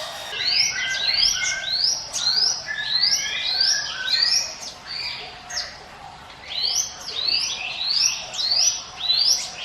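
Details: 'Ngiwit wit' song of the Hill Prinia, used as a lure for other birds: a quick, steady run of bright rising sweeps, each about half a second, repeated almost without a break.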